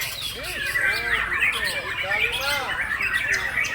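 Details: Captive white-rumped shama, a breeding parent bird, singing continuously without pause. Dense bursts of clear whistled phrases and rapid chirps tumble over one another, with lower looping whistles and a faint background murmur.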